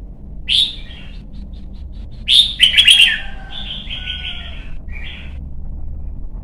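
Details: Young caged Red-whiskered bulbul in song training for competition singing: a short bright note, then a rich rolling warbled phrase trailing into a series of lower whistled notes.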